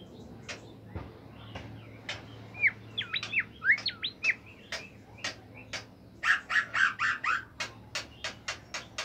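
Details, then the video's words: Bimoli bird singing vigorously in a melodious training recording: sharp clicks scattered throughout, a tangle of fast looping whistled slurs in the middle, then a dense burst of rich warbled notes followed by rapid ticking. "masteran burung bimoli sangat merdu dan gacor"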